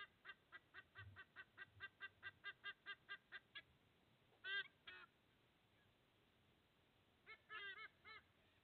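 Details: Sea eagle at its nest in Australia, filmed on 30 August 2024 as the male brings food for two eaglets; a rapid run of about sixteen nasal, goose-like honks, then a pause and a few louder, separate honks.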